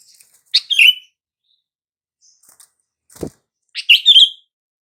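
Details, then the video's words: Sooty-headed bulbul calling sound for coaxing silent bulbuls to respond: two bright chirpy phrases, each a sharp note sliding into a warbled whistle, separated by a few seconds, with one sharp click between them. "SUARA PANGGILAN BURUNG KUTILANG , TERBUKTI AMPUH BIKIN KUTILANG BISU LANGSUNG RESPON"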